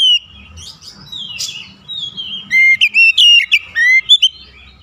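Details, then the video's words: An oriental magpie-robin (kacer) challenging a rival, a thin whistle then a fast series of loud, bright, rising and falling notes, roughly a dozen in quick succession. "PANCINGAN KACER LANGSUNG GERTAK LAWAN | LAWAN PUN BALAS GERTAK"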